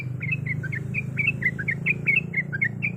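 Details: Yellow-vented bulbul female in breeding condition calling to a male: quick series of sharp, slightly rising chirps, roughly five a second, with a low droning hum underneath.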